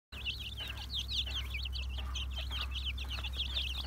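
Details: Black Mottled Brahma chickens from 2020 stock in Istanbul: a dense chorus of high, rapid, overlapping peeps from many birds over a steady low electrical hum.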